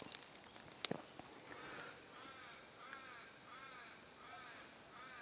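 A crow gives a series of hoarse, harsh caws, roughly one every second, with a sharp click near the start and faint outdoor background.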